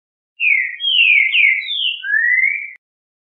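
Green-winged Saltator singing a short, rich whistled phrase: four or five clear slurred notes, mostly falling, ending on a long rising whistle, with no other sounds.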